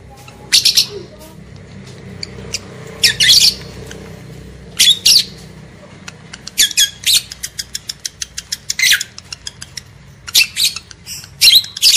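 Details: Lovebirds, male and female, in a breeding-stimulation recording: harsh, broadband squawk bursts in clusters, mixed with rapid ticking chirps in short runs, indoors with low background hum.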